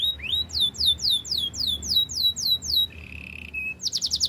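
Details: Singing canary delivering a run of sharp downward-sweeping whistles repeated quickly, then a low buzzy rolled trill and a final burst of fast high chips.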